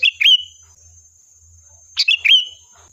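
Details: Sooty-headed bulbul phrases played to provoke a reply: two bright chirping phrases roughly two seconds apart, each ending in a drawn-out level whistle, with a steady electronic hum in the background.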